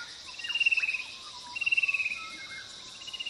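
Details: Fan-tailed cuckoo (Cacomantis flabelliformis) giving two descending trills, each a rapid series of pulsed notes sliding slightly downward, about a second apart, with a third trill starting at the end over steady high insect hiss.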